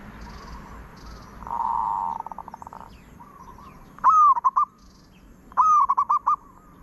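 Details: Cooing zebra dove: a sustained purring coo that breaks into pulses, then two loud phrases. Each phrase starts with a high rising note and tumbles into a fast series of clipped, bubbling notes.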